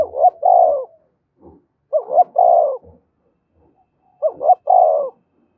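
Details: Spotted dove call used to stimulate fighting: three phrases of two short rising notes and a long falling coo, roughly every two seconds, with soft low thumps between.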